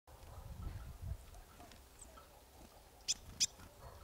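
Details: Marsh tit calling at Kawęczyn near Nowy Korczyn, Poland: two short, sharp high notes about a third of a second apart near the end, over a low rumbling background.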